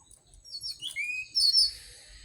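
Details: Brief orange-headed thrush song fragment, used as a lure to make caged birds sing: a few thin, rising high whistles followed by a sharper, louder high note.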